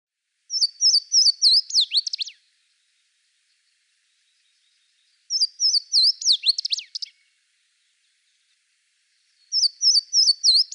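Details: Louisiana Waterthrush song from the eastern United States: three songs, each opening with clear slurred whistles and ending in a quick jumbled descending twitter, repeated about every four and a half seconds with silence between.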